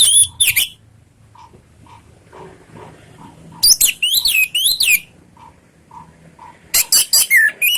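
Orange-headed thrush sings loud bursts of rich, varied whistled and scratchy phrases, delivered in rapid clusters separated by pauses, with soft low knocks between.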